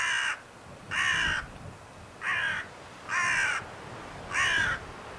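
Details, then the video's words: Carrion crow at Scheveningen in the Netherlands, 31 January 2021, gives five rasping, throaty caws at uneven intervals over the background hiss. "Zwarte kraai Corvus corone, roepend"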